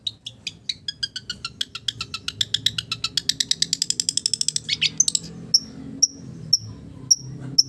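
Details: Long-tailed shrike song imitating village birds: a long train of dry clicking notes that speeds up into a dense rattle, followed by five clear high whistled pips about half a second apart.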